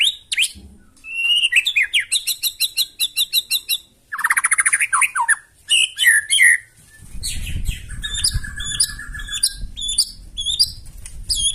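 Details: White-rumped shama giving loud rough song to make other birds answer: fast repeated chattering phrases, buzzy bursts and sharp whistles, later over a steady low rumbling background.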